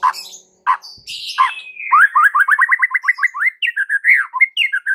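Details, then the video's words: White-rumped shama singing to provoke a reluctant shama into full song: a few harsh notes, then a fast even series of rising whistled notes, followed by looping warbled phrases. "PANCINGAN Murai Batu Sangat EFEKTIF untuk Murai Batu kurang GACOR jadi NGAMUK"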